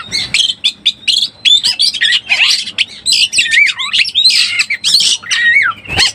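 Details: Lure recording of an Oriental magpie-robin in breeding condition: varied whistled slurs and descending sweeps mixed with rasping, squawky notes in a lively, continuous sequence.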